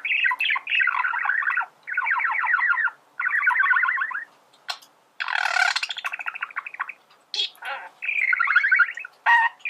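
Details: Male budgie singing, a song used to teach birds to sing: long runs of rapid buzzy trills and chatter, broken by harsh squawk-like bursts and short pauses.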